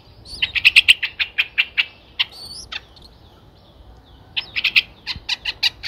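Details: Chicks of Streak-eared Bulbul aged nine days, Ubon Ratchathani, Thailand, April 2023: dense bursts of quick, harsh chips, a quieter gap with scattered chips and a high whistle, then another fast burst of chips.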